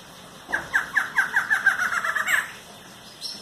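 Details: Barred antshrike: a series of nasal, hooting notes that speeds up and runs together into a rolling rattle, ending with a sharper note, lasting about two seconds.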